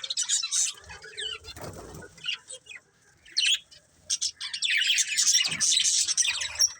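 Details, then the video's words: Budgerigars, a colourful breeding pair, chirping in bursts of bright, scratchy high warbles with gaps and a soft flutter of wings between calls. "Cute Colourful Budgies Chirping Sounds"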